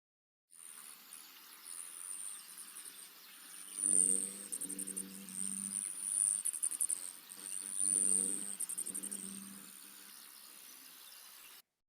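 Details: Allen's Hummingbird wing trill made by the feathers during a mating display, a non-singing species; a high thin metallic whine runs throughout with three bursts of rapid buzzy pulses, while lower hums swell beneath.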